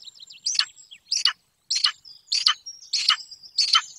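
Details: From a webcam at a secluded Golden eagle nest in Bucovina where a pair rears a chick: six raspy, falling chirps about every 0.6 seconds, overlaid by high, thin whistled notes from other birds.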